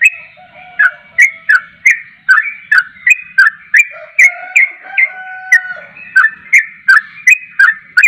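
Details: Persistently singing yellow-vented bulbul (trucuk): quick, clipped whistled notes with clicky attacks, roughly three a second, over long, thin sustained whistles, in an otherwise quiet setting.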